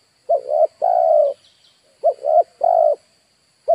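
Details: Spotted dove decoy bird used to lure wild birds, giving its cooing call: two short rising coos and then a longer drawn-out coo. Two full phrases are heard over a faint steady high hum.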